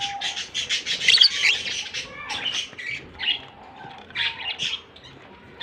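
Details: Rapid buzzy chirps from a blue and white albino lovebird pair run in quick uneven bursts, loudest near the start and then fading to scattered calls.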